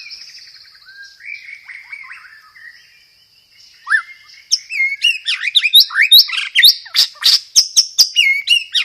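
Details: Murai batu (white-rumped shama) song featuring roll-tembak and sparrow-fight fill-ins: quiet warbling whistles that break into a loud, rapid volley of sharp chips and whistled downslurs, repeated several times a second.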